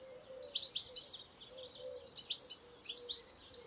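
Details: European goldfinch (tengelic) singing: rapid, bright twittering of high buzzy and tinkling notes in fast bursts, with a steady low hum underneath throughout.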